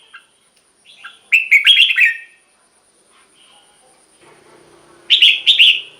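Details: Red-whiskered bulbul kept in a cage, its song played to make other caged birds lively: a loud rich warbled phrase, a quiet stretch with low background hum, then a second loud phrase.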